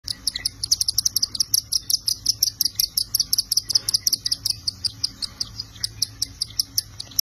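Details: Cockatiel parents feeding their babies: rapid, high, raspy chirps repeated several times a second in a steady run.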